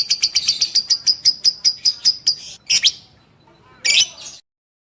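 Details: Lovebird song used to train lovebirds into fighters: a quick run of about a dozen sharp, high, buzzy chirps in even rhythm, then two louder harsh squawks after short pauses.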